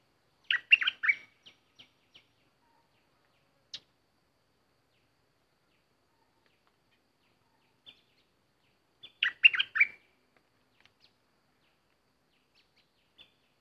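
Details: Bulbul used as a decoy, an uninvited intruder showing up. Two loud bursts of chattering, bubbly whistled notes about eight seconds apart, with scattered soft ticks and brief chips in between.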